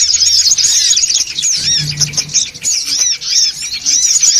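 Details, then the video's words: Noisy songon otong lure sound: many birds chatter at once in a thick wash of high, bouncing chirps, with brief short gaps and a low hum in the middle. "SUARA PIKAT SONGON OTONG (RIBUT)"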